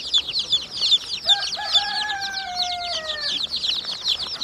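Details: Chicks of chicken cheep in a thick, high chorus, joined midway by a drawn-out, lower whistle-like tone gliding gently downward for about two seconds before the peeping carries on alone.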